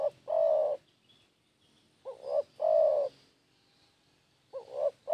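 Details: Spotted dove lure call: low, mellow coos, a long drawn coo followed by a phrase of two short rising notes and another long coo, repeated at intervals of a couple of seconds in a quiet setting.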